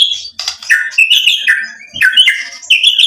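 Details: White-rumped shama in vigorous song, provoked to reply with learned material, mixes scratchy notes and bright whistled slurs in short lively phrases.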